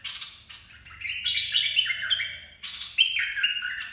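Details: Caged bulbul singing a 'dok taeng' song used to train young birds and lure birds: bright whistled phrases of stepped, falling notes, a short opening burst, then two longer loud phrases with a brief pause between.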